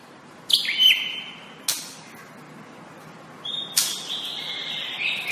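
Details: White-rumped shama singing, used as masteran for training kept shamas: a few separate clear whistled notes, one dropping, one long steady whistle, with sharp high clicks between quiet gaps.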